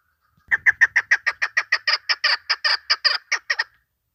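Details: Hen chukar partridge calling as a hunting lure, a quick series of about seventeen hoarse chuck notes, slightly accelerating, with a faint low rustle at the start.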